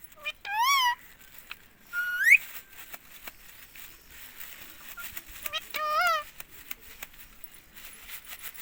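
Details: Talking rose-ringed parakeet kept as a pet in India, saying "mummy" over and over: three loud, nasal word-like utterances spaced several seconds apart, each with a bending, wavering pitch, plus soft clicks and background hiss.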